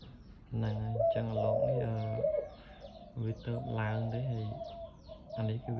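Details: Caged loud-voiced dove kept for sale, giving deep, rolling coos in drawn-out phrases separated by short pauses, with a man speaking nearby.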